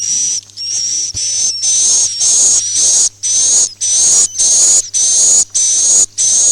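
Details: Swiftlet "Masal" roosting call used to lure birds for farming: evenly spaced, strident hissing chirps, roughly twice per second, a pure whistle slowly rising across them, steady hum underneath.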